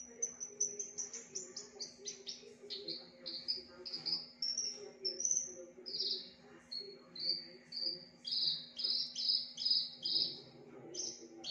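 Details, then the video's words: Loud Javan bush lark mimicking other birds: a rapid accelerating string of high chirps gives way to longer buzzy, trilled notes repeated in a steady rhythm, over a faint low hum. "BRANJANGAN UNIK Suara aneh pariatif volume dahsyat"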